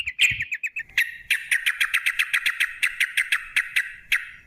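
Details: Long 'ropel' song of a sooty-headed bulbul meant to set birds singing: brief fast chirps, then a steady string of sharp clipped notes that gradually spaces out.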